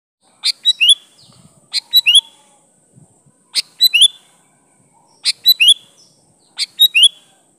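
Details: Sooty-headed bulbul singing a lively song rich in natural fill-ins, meant as a lure to draw other bulbuls into answering: short bubbly whistled phrases of three to four notes, repeated about every one and a half seconds, with faint low rustles between.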